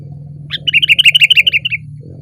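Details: A sooty-headed bulbul perched on a branch gives one loud, fast run of about a dozen bright chirping notes, evenly spaced and slightly falling at the end, with a low background hum.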